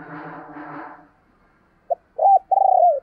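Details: Spotted dove decoy calling for wild doves; a rough, broad burst opens, then after a pause a short note and two long low coos.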